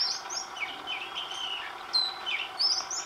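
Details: Singing Oriental magpie-robin, recorded across several days with a different tune daily; a rich run of varied whistles, high sliding notes alternating with lower wavering slurs and a sharp upward flourish near the end, over quiet hum.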